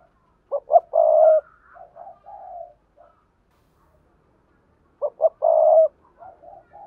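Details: Spotted dove singing sa thúc, bowing coos and full song to lure wild doves; two short notes and a long purring coo, trailed by softer fragmentary coos, the phrase returning after about four seconds.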